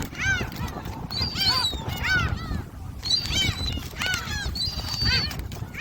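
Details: Feeding gulls at Jebudo call in quick succession, curved nasal yelps alternating with drawn-out level squeals, about one burst per second over steady background rumble.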